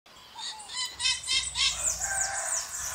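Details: Scaly-headed parrot (Pionus maximiliani), screeching call.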